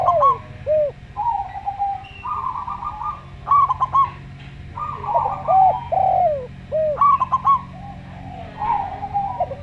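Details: Local zebra dove, slow-voiced, paired with a calm Javan derkuku dove: repeated cycles of rippling stuttered coos and deep bowed coos sliding downward, with a faint background drone.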